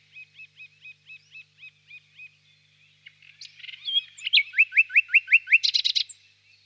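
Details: Song of a common nightingale: a slow series of soft paired notes, a short pause, then louder phrases building into rapid downswept whistles repeated several times and a final dense buzzy burst.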